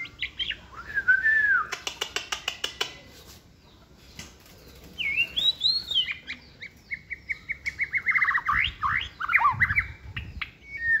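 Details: Young White-rumped shama, caged and singing a varied giong day style song on a table: a whistled slur, a rapid clicking rattle, a pause, then rising whistles and quick swooping notes.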